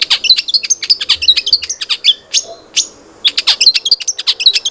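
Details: Lure recording of a long-tailed shrike to make caged birds sing: rapid high squeaky chatter, two drawn-out rasping notes in the middle, then the quick chattering resumes.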